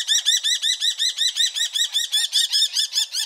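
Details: Common kestrel in the Wittlicher Tal, Germany, recorded in 2018, giving a rapid, steady series of shrill, arched 'kee' notes, about fifteen in just over three seconds, each ringing with bright overtones; no other sounds stand out.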